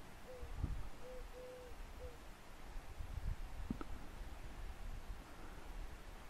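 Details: Endangered European turtle doves, two or three wild birds near Brzeg Dolny, Poland, recorded from far away, give soft, low purring notes, one short, then a longer drawn-out pair, over low rumbling wind and handling bumps.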